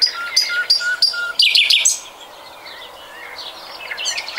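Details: Common nightingale song from 2020. Clear repeated whistled notes at roughly four per second lead into a loud, dense buzzy trill, followed by faint distant whistles and a final high sputter.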